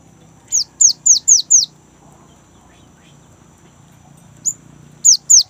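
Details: Young great tit in full rolling song meant to prompt kept birds: five quick falling whistles, a quiet stretch, one short high note, then three more downslurs.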